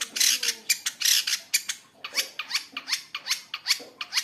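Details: Long-tailed shrike sound meant to stir caged birds to sing: a string of harsh, rasping strokes, some sweeping upward, repeated a little more than once per second, loud at first then slightly softer.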